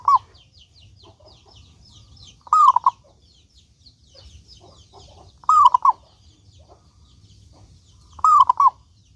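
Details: Local zebra dove singing to draw other doves into song: repeated cooing phrases roughly every three seconds, each a short run of warbled notes after a click, with faint small chirps from other birds and a low hum.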